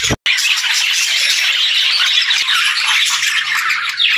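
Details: Several budgerigars chattering together in a busy, unbroken stream of squeaky warbles and sharp chirps, with a momentary silent gap near the beginning.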